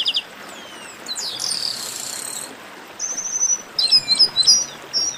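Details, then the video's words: Chestnut-capped blackbird singing in a style called baderna: high, thin buzzy notes and sharp down-slurred whistles, a long hissing buzz near the start, then clusters of quick chirps after a pause, with steady background hiss. "Baderna de Garibaldi"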